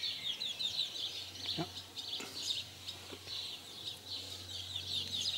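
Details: House sparrows mating in 2020, chirping continuously in a dense overlapping chatter of bright, high, rapid notes from several birds, with a few low thumps and a faint hum beneath.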